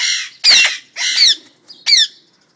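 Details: Pet parrots indoors call loudly with a run of harsh, grating squawks, about four bursts in under three seconds, some with a nasal buzzy tone.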